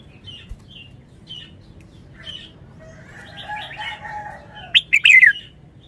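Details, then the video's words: Caged red-whiskered bulbul singing in the wild-song (phleng pa) style. Soft scattered chirps lead into a loud, quick burst of three or four slurred, descending whistled notes near the end, with faint low background hum. "นกกรงหัวจุก 292 เพลงป่า แกนโต"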